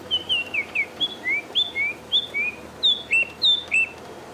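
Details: Bearded scrub robin's lovely, lilting call played from a phone: clear, sweet, slurred whistles, rising or falling, delivered in a rapid run of roughly three notes per second. The species mimics other birds.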